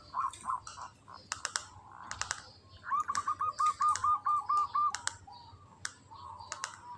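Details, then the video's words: Local zebra dove of the kantong semar ngretek song style, in breeding condition, giving a quick run of about nine rattling, evenly spaced cooing notes in mid pitch. Sharp clicking like typing surrounds the song. "Perkutut lokal kantong semar ngretek"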